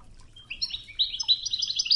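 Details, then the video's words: Brief but dense Wedani goldfinch song from the 'Toughza' training tape, river murmur behind: after a short pause, quick high trilled and tinkling notes pour out in a steady bright chatter. "الشريط الويداني الأصلي توغزة بنغمات خرير مياه الأنهار"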